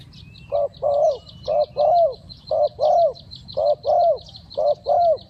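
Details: Spotted dove cooing as a trapping decoy: soft, low paired coos, a short note then a longer one, repeated steadily, with rapid pulsing insect buzz high above and a low background rumble.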